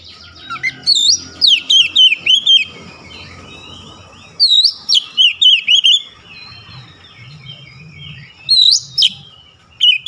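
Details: Oriental magpie-robin opening its beak wide for a sharp song of repeated loud, high, rising and falling whistled notes in several bursts separated by quieter pauses, faint low rumbling in the background.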